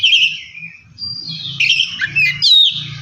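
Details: Oriental magpie-robin song meant to trigger another bird to sing. Rich whistled phrases with twisting high notes over a faint low rumbling background hum.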